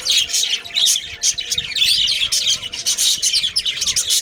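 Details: Breeding budgerigars, Australian parrots in a colony: lively high tweets and warbling chirps in quick bursts, several birds at once, a soft rustling beneath.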